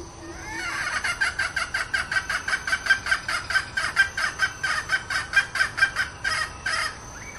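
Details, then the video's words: Red junglefowl decoy hen calling steadily, a long train of sharp, rhythmic clucks at about two per second that rises quickly in loudness and then ends in a couple of spaced, drawn-out notes. "เสียงไก่ต่อตัวเหมีย ต้อยแบบจัดเต็ม!!"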